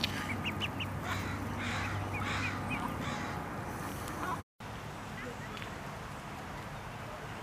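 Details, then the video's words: Duckling (mallard) swimming in a pond, scared and crying for its mother, gives a run of short, high, piping peeps about two a second over a low steady hum; after a brief break only background noise remains. "Baby Duck Quacking & Crying"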